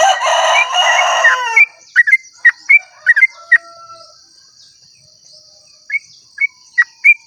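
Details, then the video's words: Dawn 'ropel' song of a Sooty-headed bulbul, meant to stir other bulbuls into song. A rooster crows first, then short, liquid, chirpy phrases come in scattered bursts over a thin high insect drone. "pancingan trucuk ropel panjang cengkok termerdu saat subuh"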